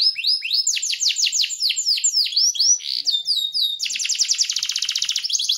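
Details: White-rumped shama song used as a master recording for training songbirds, with dense, harsh phrases: rapid series of downward-sweeping whistled notes, then a fast buzzy trill of closely packed notes, sung clearly against a silent background.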